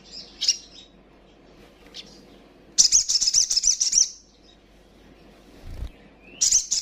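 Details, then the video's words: Female little spiderhunter (sogon) call used to provoke and excite rival birds; high, rapid chattering bursts, a short one near the start, a longer run of dense trilled notes in the middle and another burst at the end. "Sogon trotolan gacor,ngobra,ngleper.paling ampuh bikin emosi lawan!"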